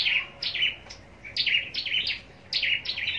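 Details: Scarlet-backed flowerpecker, a caged bird kept for singing contests in Long Thành, Vietnam, giving quick high chipping phrases in three clustered bursts of downslurred, sharp notes.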